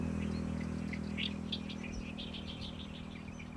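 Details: Oriental reed warbler singing loudly in a reed bed on the shore of Lake Biwa, Japan, in May: a chattering song of harsh, scratchy notes, several per second, over a steady low engine hum.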